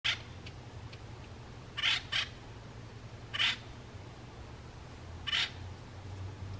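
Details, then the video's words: Male Acorn Woodpecker giving five harsh, raspy squawks, one close pair among them, spaced irregularly over several seconds against a faint low hum. "A male Acorn Woodpecker chirping"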